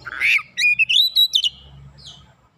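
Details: Oriental magpie-robin giving a harsh squawk followed by a rapid string of clear, rising whistled notes, then a soft trailing whistle.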